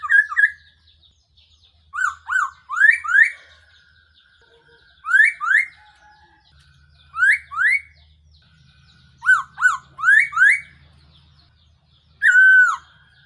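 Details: Series of Black-throated laughingthrush phrases used as a trapping lure. Groups of three or four quick upslurred whistles repeat roughly every two to three seconds, and a falling whistle closes the run.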